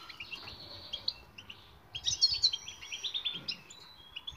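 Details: European goldfinch singing in a recording for training silent birds: scattered high twitters, then a denser burst of liquid chirps and trills in the second half, light background hiss.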